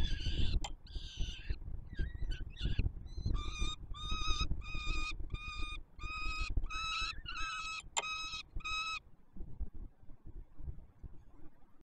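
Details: Peregrine falcon young at the Warsaw Palace of Culture and Science nest, July 2022, begging during feeding: rapid harsh screams repeated about twice a second for several seconds, then stopping, leaving only low background rumble.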